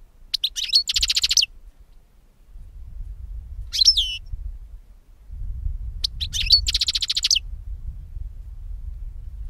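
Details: European goldfinch song used to attract birds for capture. Three phrases each open with quick twitters, then break into a dry, buzzy rattling trill, with a steady low rumble in the background.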